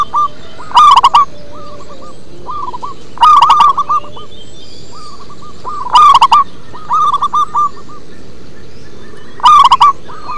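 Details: Local zebra dove (perkutut) singing in a deep, bass style: loud rolling, stuttered coo phrases about every two and a half seconds, four in all, with softer repeated cooing phrases between them and a steady low background hum.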